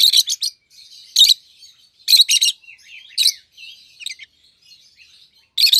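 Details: Captive pair of rosy-faced lovebirds, yellow and green with red faces: rapid harsh shrieking chirps in clusters about once a second, linked by quieter rasping chatter and brief whistles.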